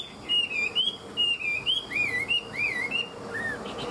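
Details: Tame caged Chinese hwamei, a good fighter, singing in the 'ngũ trường' style: a run of loud, clear whistled notes that loop and slur up and down, given in short phrases with brief pauses between them.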